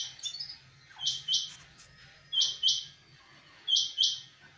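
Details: House sparrow, small and beautiful, giving sharp chirps in doubled pairs about every one and a half seconds, separated by quiet gaps over a steady faint low hum.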